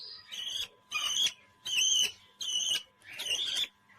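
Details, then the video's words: Finger-tame pet parrot singing: five strained, buzzy-whistled notes rich in overtones, each lasting about half a second and separated by short pauses. "Best Parrot Singing on the Internet"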